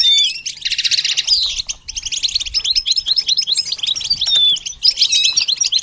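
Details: Goldfinch singing as part of song training: opens with a buzzy trilled burst, then a long run of rapid twittering notes broken by clear whistled slides.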